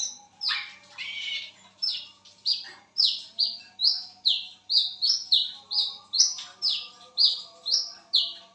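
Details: A lesser whistling duck calls persistently at midnight, a long, fast run of shrill whistled notes, each dropping in pitch, about two per second.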